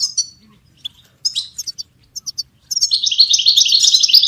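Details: Goldfinch recorded for songbird training: a few separate high chirps and quick double notes, then a sudden continuous run of fast, bright twittering to the end.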